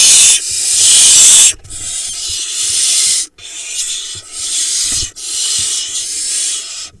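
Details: Barn owl nestlings begging in a monitored nest box in the Hula Valley, Israel, on 28 June 2021, as the male brings a vole and feeds one of his young; loud, harsh, breathy hisses, several long bursts with short gaps.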